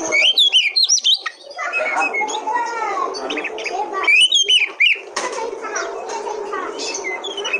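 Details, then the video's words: Territorial Oriental magpie-robin singing a loud, varied string of whistled slurs and sharp chirps, rising and falling notes tumbling quickly; used to provoke other magpie-robins into song; faint low murmur beneath. "Pancingan Kacer Paling AMPUH,Untuk Pancingan kacer BAHAN agar Cepat Gacor"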